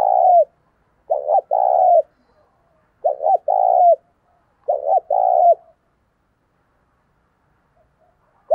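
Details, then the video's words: Decoy spotted dove calling in thúc sung style to excite wild doves: a trailing coo, then three phrases of two short throaty notes and a long tremulous low coo, roughly every two seconds, ending in silence. "Chim Cu Mồi Gáy Thúc Sung Hay Nhất Hiện Nay, Kích Bổi Nhanh Nổi Và Căng Lửa"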